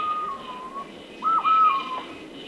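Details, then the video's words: Golden-headed quetzal at Alto San Miguel giving two mellow, level whistled notes, a softer one and then a louder one, over a faint background hiss. "Guía Sonora de Aves"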